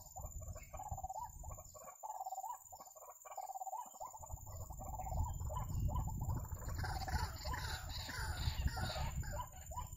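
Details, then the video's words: White-breasted waterhen giving rapid, repeated hoarse croaking notes, about three a second, over steady low rumbling noise that grows louder toward the end. "Ruak Ruak Nakal"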